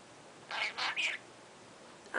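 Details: A 34-week-old pet parrot named Mango, talking early in the morning on top of his cage, gives three quick, breathy, high-pitched speech-like syllables in under a second, then falls quiet against a soft room hush.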